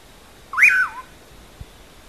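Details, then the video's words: Common pauraque (bacurau) calling 'amanhã eu vou' as a single strong, clear whistle, rising then falling in roughly half a second. A brief quiet click follows. "Canto do Bacurau Amanha Eu Vou"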